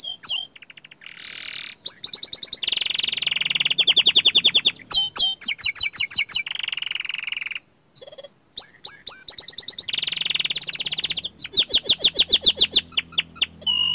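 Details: Lively young canary song made of a continuous chain of fast trills, rolling rattles and upward-hooked whistled notes, with short pauses between phrases and a faint low hum underneath.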